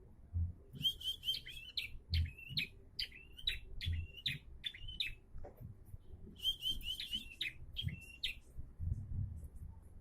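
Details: Bar-winged prinia singing more regularly, giving loud chirped phrases of sharp, sweeping notes repeated in quick series, with a brief pause midway before another fast run; a low hum underneath.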